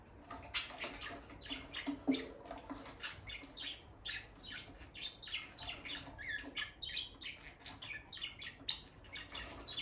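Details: Bonded pair of peach-faced lovebirds by their nest box, the female entering and leaving, keeps up a busy run of quick scratchy chirps, several each second, over a faint low hum and soft shuffling.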